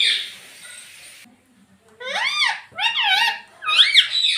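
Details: Pet ring-necked parakeet talking, apparently saying "Mummy Papa": after a hissy lead-in and a pause, three rounded, arching speech-like syllables, each rising then falling, spaced roughly a second apart.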